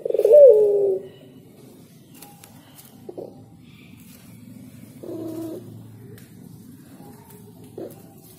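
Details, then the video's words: Spotted dove singing: one loud, low, slightly wavering coo in the first second, then two faint, shorter coos near five and eight seconds over a soft low background rumble. "Suara Burung Derkuku Yang Enak Dan Nyaman didengar Burung Tekukur Bernyanyi"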